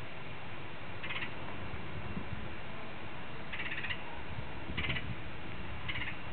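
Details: Woodpecker met on a walk giving warning calls, acting as if its nest were nearby: short harsh, rasping bursts, four spaced irregularly over about six seconds, above a constant low rumble of wind or handling noise.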